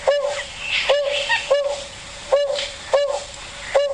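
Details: Narina trogon call played back in the Kruger National Park area on a sunrise safari drive: a series of low, soft hoots about every 0.7 seconds, slightly rising, with faint background hiss.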